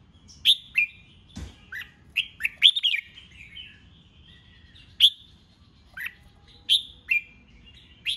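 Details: Caged red-whiskered bulbul singing in a contest style meant to provoke wild-caught birds. Loud, clear whistled notes come in quick clusters, some sharply slurred down, with gaps of about a second and a brief click midway.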